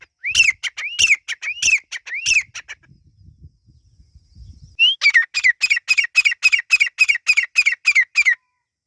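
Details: Partridge (teetar) chicks calling: harsh, arched notes repeated about three times a second in an opening burst, a short quiet gap with low rumbling, then a long fast regular series of loud grating calls.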